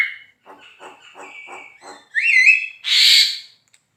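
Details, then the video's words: Javan myna singing vigorously as a training model for songbird contests: a series of soft, rasping pulses, then a sharp rising whistle and a loud, broad, harsh burst. "JALAK KEBO GACOR"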